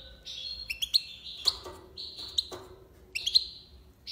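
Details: Tiwawati song of a European goldfinch, Algiers: long, ringing, sustained high whistles broken by sharp clicks and twitters, flowing almost without pause over a low hum.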